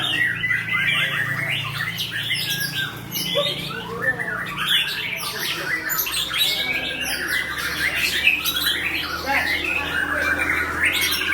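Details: White-rumped shama of the Aceh type performing at a songbird contest pole: dense, loud medley of fast whistles, rising sweeps and harsh chatter, barely pausing, amid other caged birds singing and a low hum of people.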